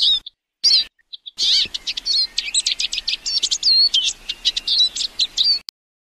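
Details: A Eurasian siskin (Spinus spinus) sings a fast, high twittering run of chirps, trills and thin whistled notes, with short pauses near the start.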